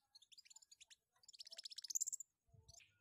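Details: Long-tailed shrike in strong breeding condition, fluttering its wings as it sings: a varied, scratchy song of high chirps running into a fast, chattering burst of sharp notes, ending with a brief low thump.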